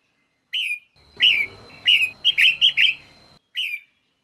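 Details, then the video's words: Female red-whiskered bulbul, a sound used to stimulate males to sing: short bright whistled phrases, then a quick run of four slurred notes with a low rumbling hum behind them, and a last lone whistle. "Chào Mào Mái Kích Trống Không Quýt Qiu \Kích Là Hót"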